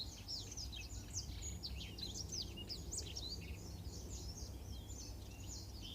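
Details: Black-throated canary song used as a master song for training canaries: dense, fast stream of high sweeping whistles and trills, continuous throughout, over a steady low background hum.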